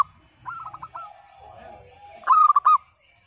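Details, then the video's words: Zebra dove, local type, cooing to prompt reluctant birds to sing: a softer rolling phrase first, then a loud, crisp burst of stepped pulsed notes, faint low murmur underneath. "Perkutut Lokal Gacor Suara PECAH Cocok Untuk Pancingan Yang Bisu Dan Malas Bunyi"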